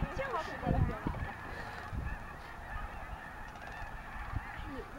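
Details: Flock of snow geese at Bosque del Apache National Wildlife Refuge calling constantly, overlapping nasal honks with a louder burst near the start, fading to a steady background chorus.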